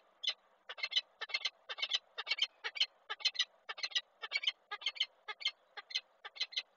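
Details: Koszalin, Poland, 20 April 2023: a female peregrine falcon calls loudly on a railing near the eggs as the male flies in; rasping, clipped notes in quick doublets and triplets with short gaps.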